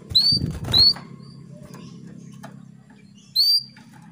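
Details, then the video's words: Female canary calling to a male to bring him into breeding condition: two sharp, upward-sweeping whistled notes in quick succession, then a third after a pause, over a steady low hum. "PANCINGAN KENARI BETINA MEMANGGIL JANTAN"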